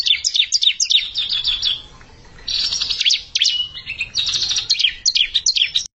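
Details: Bar-winged prinia, untrained bird challenging a settled one, gives fast volleys of sharp high chirps, a brief quiet gap, then renewed rapid bursts with a few longer whistled notes.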